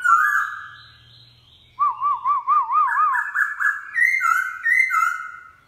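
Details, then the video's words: Wild-style morning song of a black-throated laughingthrush: a slurred whistle, then a rapid undulating warbled trill followed by clear sustained whistles in varied pitch. "Khướu mun bổi hót giọng rừng cực phê . vào buổi sáng"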